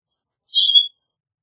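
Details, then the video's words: Common grackle giving a single short, shrill metallic squeak, high-pitched with a rasping edge. "Common Grackle Song! Common Grackle call! Common Grackle - Zanate Norteño Canto"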